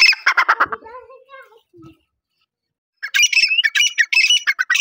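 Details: Partridge giving harsh, buzzy squawking notes in a rapid burst, trailing into softer wavering tones, then a pause of about a second before another loud run of raspy, chattering calls.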